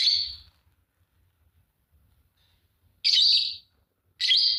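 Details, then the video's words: Singing and chirping from a green Fischer's lovebird pair: one shrill buzzy chirp, a pause of over two seconds, then two more harsh chirps close together. "Lovebird singing and chirping sound, green fischer pair"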